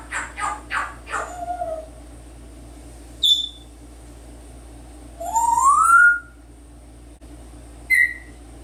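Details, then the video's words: A 10-year-old pet male African grey parrot indoors: a few quick raspy syllables, then a short high pure whistle, a longer smoothly rising whistle, and a final clipped high note, over steady low room hum. "African Grey talking and making noises"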